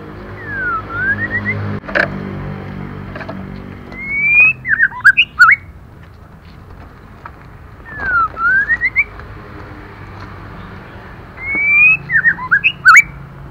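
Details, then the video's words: Female white-rumped shama singing to stir males, repeating short phrases of swooping whistles and sharp clicks in three bouts roughly four seconds apart, with a low rumbling background. "Lửa mái kích trống hay nhất"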